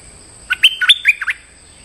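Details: Stripe-throated bulbul used as a lure to call a territorial resident: one quick phrase of about six bubbly, chirpy notes dropping and rising in pitch, over a quiet background.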